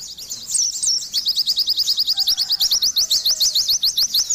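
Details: Slurred whistled notes lead into a fast, evenly paced train of thin, bright chirps; gacor song of an Oriental white-eye, loud and sustained throughout.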